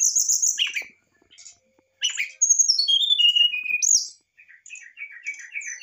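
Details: Excited brown-chested jungle flycatcher song meant to provoke a reply: bright, sliding whistles stepping downward in a fast run, a short gap, then a string of lower repeated whistled notes.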